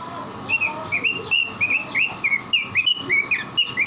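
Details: Vigorous song of a caged robin used to train other cage birds: a fast, lively stream of clear whistled notes, rising and falling slurs delivered several per second without pause, with a constant low hum beneath.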